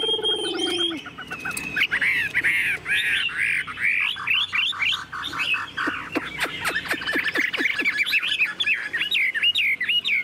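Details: A caged male Chinese hwamei with a yellow bill and a fanned tail sings a loud, rich run of varied whistled phrases, slurred notes and rapid repeated trills, mostly high-pitched and continuous.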